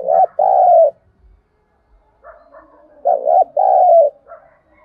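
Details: Spotted dove lure call used to stimulate other birds: two loud low cooing phrases, a short hooked note then a longer falling coo, repeated about every three seconds, with faint higher chirps between.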